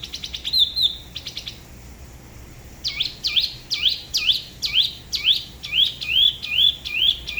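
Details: Spot-throated babbler from Dalat, by the La Ba river in Vietnam, singing solo in a local style said to differ from other regions: a few clear whistled notes, then a quick series of sharp down-up slurred notes about three per second.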